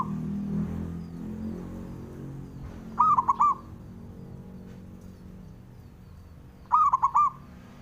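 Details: Male zebra dove of local Javan stock calling to provoke opponents: two bursts of rapid staccato cooing about four seconds apart over a steady low rumble.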